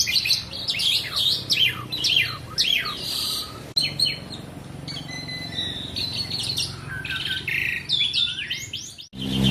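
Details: Asian pied starling in continuous song, a dense stream of downslurred whistles and chatter followed by steadier whistled tones and squeaky notes, ending with an abrupt click.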